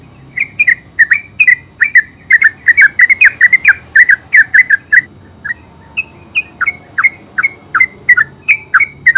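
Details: Yellow-vented bulbul (terucuk) pouring out a lengthy ngeropel song, a dense cascade of bubbly chirps at the start easing into a steady series of clear, downslurred liquid notes, lasting over nine seconds.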